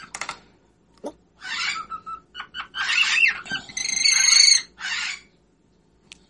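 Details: Whiteface pearl cockatiel singing in irregular bursts: clicks and short chirps, scratchy chatter, then a sustained harmonic whistled phrase followed by a raspy note.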